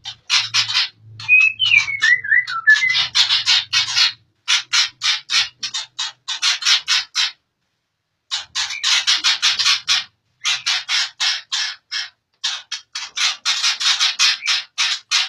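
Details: White-rumped shama of the Aceh type, praised for super quality, delivering dense bursts of rapid, scratchy chattering notes with a few whistled warbles early on, in phrases of one to four seconds broken by short pauses; faint low hum beneath.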